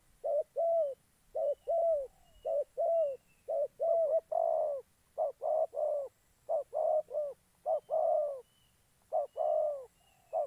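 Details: A decoy spotted dove calling during dove trapping in Gia Lai, Vietnam. It coos steadily in mellow, low, slightly downslurred notes, grouped in pairs and triplets with some longer drawn-out coos, and barely pauses.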